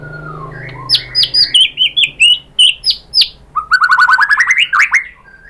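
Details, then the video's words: White-rumped shama used as a lure to provoke singing: loud whistled and chattering phrases, sharp notes with clicks, then a rapid rising series of whistled notes climbing toward the end. "bikin NYAUT ‼️ MURAI BATU jadi EMOSI GACOR BONGKAR ISIAN ¦ PANCINGAN MURAI"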